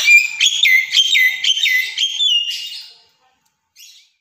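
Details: Javan myna (jalak kebo) song: a quick series of clear, whistled notes, each bending down and back up, repeated about twice a second for two and a half seconds, then a short pause and one faint, brief note.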